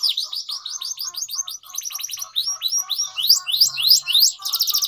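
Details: Atlantic canary singing vigorously for the training of young canaries: quick repeated downward slurs, a rattling stretch, then loud rising sweeps about twice a second, with faint lower notes underneath.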